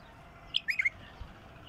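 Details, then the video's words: Song of a wild bulbul: a single bright whistled note, then a rapid run of three warbled, liquid notes, one short phrase against faint background hiss. "تغريد بلبل وحشي"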